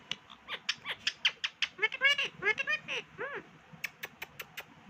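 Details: Pet Indian ringneck parakeet talking: a quick run of sharp clicks, then harmonic, arched, voice-like syllables in the middle, ending in a string of crisp high ticks, with faint household background.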